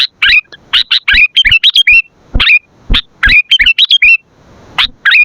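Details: Sooty-headed bulbul in lively song, used for luring and training other bulbuls: short bright chirps and slurred whistled notes in quick, uneven clusters, broken by sharp clicking knocks and brief pauses.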